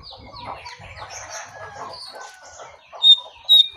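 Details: Sooty-headed bulbul, a wild bird facing off against a caged one until the wild bird flees; a soft jumble of chirps and chatter, then two loud, sharp, high whistled notes close together near the end.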